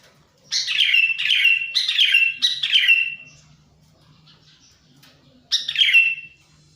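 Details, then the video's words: Lure call of the sooty-headed bulbul for attracting wild birds: four harsh, buzzy, falling chirps in quick succession, then silence and a single double chirp near the end. "suara pikat burung kutilang"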